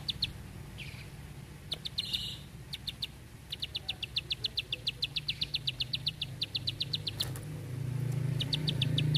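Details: Bar-winged prinia song in long, tight 'tembakan panjang rapet' bursts: sparse clicks at first, then a sustained run of rapid, high ticking notes, over a steady low hum and rising traffic noise.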